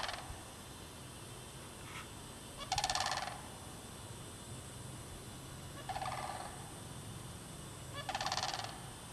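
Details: Sandhill cranes in the bog at Derby Reach Park in March 2009, where mating cranes were noted. Three loud rolling, rattled calls come at intervals of about three seconds, with a fainter brief note before them and steady background hiss.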